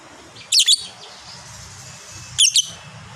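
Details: Fighter lovebird with prized long ngekek chatter, giving two short bursts of shrill, high, squeaky double notes about two seconds apart over a quiet low hum.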